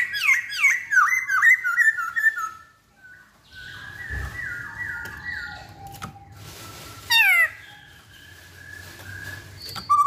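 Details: Masked laughingthrush (poksay Hongkong) singing a rapid cascade of rich, wavering whistles that slides downward, then quieter drawn-out whistled notes, a low thump, a brief loud burst and more soft whistles.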